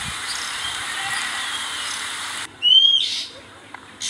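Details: Oriental magpie-robin filmed close up while raising its young: after a steady hiss, one clear whistled note sounds, followed by a brief harsh burst and a soft click.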